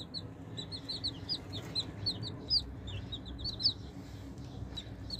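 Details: Baby chicks peeping while eating raisins: a flock of high, short, slightly rising peeps, overlapping and irregular, about one a second or faster, over a low steady background hum.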